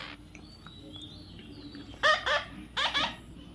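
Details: Young parrot being tamed; after a quiet start come two pairs of short, harsh, rasping squawks in quick succession against faint background hiss.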